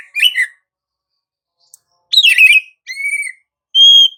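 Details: Lure song of an Oriental magpie-robin, 'gacor ngerol', for setting off other magpie-robins: a warbled chirp, a pause, a dense scratchy twitter, then a level whistle and a higher pure whistled note.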